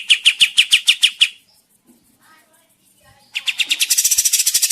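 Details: Kapas tembak bird singing briskly, used as a forest lure: a quick run of sharp, high chips, a two-second pause with faint soft sounds, then an accelerating, denser chatter.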